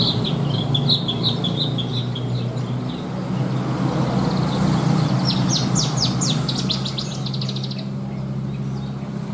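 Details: Caged contest Horsfield's bush lark singing its 'isian' song: a row of high, short notes, then a dense burst of rapid ticking chirps, partly masked by loud low hum and traffic-like noise.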